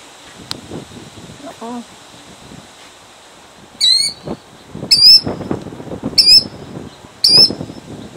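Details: Killdeer defending eggs in Jackson, New Jersey, 2008: after several seconds of rustling and a short low chirp, four strident high cries follow roughly once a second over handling noise.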